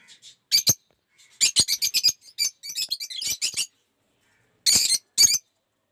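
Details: Lovebirds of several colour mutations kept in an aviary; harsh, shrill squawking chirps in short bursts, a rapid chattering run in the middle and two loud screeches near the end, with brief silences between.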